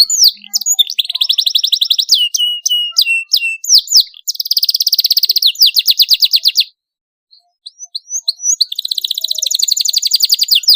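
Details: Sharp, rolling canary song for prompting young canaries to sing: long dense trills of rapidly repeated high notes and steep whistled sweeps, separated by one brief silence before the rolling resumes.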